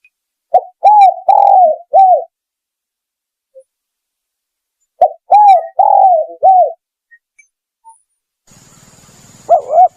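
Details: Spotted dove lure call: clear low cooing phrases of four or five notes, the first and last arched, given twice about four seconds apart. A brief hiss and a final coo close the clip.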